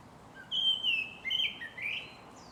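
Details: Japanese thrush at Shinano-Oiwake, Japan, giving a clear high whistled song phrase: a long sliding whistle followed by two shorter, slurred whistled notes over about two seconds, with faint background hiss and no other birds.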